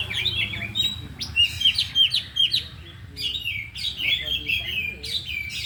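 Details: Four kept oriental magpie-robins trained in the afternoon, all singing and unloading their isian. Crisp slurred whistles repeated in quick succession, short clicking notes, and overlapping phrases from more than one bird over a murmuring background.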